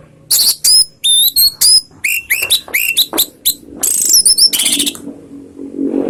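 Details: Orange-headed thrush lure song, called ngeriwik by keepers and used to make other anis merah answer: a rapid, loud stream of varied whistles, upslurred chips and high trills, ending in a buzzy rattle and soft background noise.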